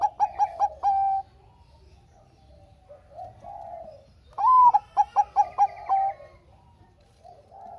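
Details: Zebra dove of Bangkok type, its song played to get lazy doves singing. The tail of a phrase, four clipped notes and a long coo, gives way to soft low coos, then a complete phrase of rising coo, staccato run and drawn-out coo.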